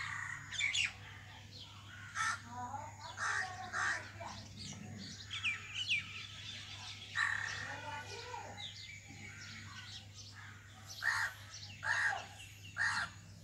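Common myna giving harsh, chattering calls in bursts about every second, with loud croaking notes near the end; a faint steady hum runs underneath.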